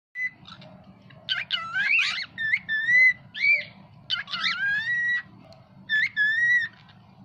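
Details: Pet cockatiel talking: a string of clear, tonal whistled syllables with rising and falling inflections, mimicking speech-like phrases, over a steady low background hum.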